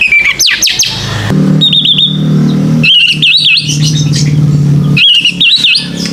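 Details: White-rumped shama used as a lure to encourage young birds to sing: sharp upward notes, then repeated wavering whistled phrases, with a loud low engine-like rumble in the background.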